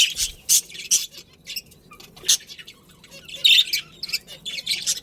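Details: Budgerigars, a breeding pair kept in a colony, making scattered high squeaky chirps and soft twitters, separated by quiet gaps.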